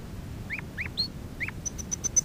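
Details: Domestic canary singing on a lesson recording for training young canaries: a few short hooked rising notes, then five quick clear high pips in a row, over a low background hum.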